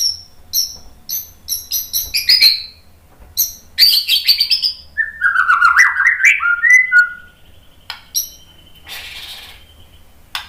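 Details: White-rumped shama song for training and luring: spaced sharp high chirps, then a tumbling burst of rich lower warbled notes, followed by a few thin isolated whistles and a short hiss.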